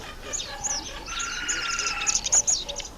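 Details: Red bishop in the breeding season, October to November, when males turn black and red: high, quick chirps and twittering notes, with steady thin tones running underneath through the middle of the clip.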